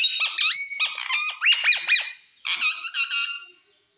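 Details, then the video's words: Green pet parrot chattering: two loud phrases of harsh, bending syllables separated by a short gap, the second ending in a fade to silence. "parrot talk everything cute talking funny"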